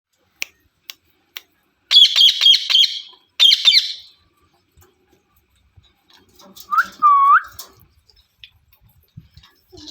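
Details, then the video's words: Parrot calling: two bursts of harsh, rapidly pulsed chirping trills, then a pair of lower, curved squawking notes a few seconds later, with scattered faint clicks in between and near silence otherwise. "Parrot Chirping Sounds"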